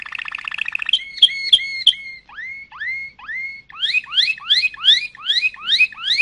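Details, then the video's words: Malinois canary song: a quick bubbling roll, sharp clicking notes, then clear upward-sweeping whistles, each rising and repeated about every half second, ending in a brighter run of rising slurs. "chant canari malinois;canto canario malinois;تغريد كناري مالينوا"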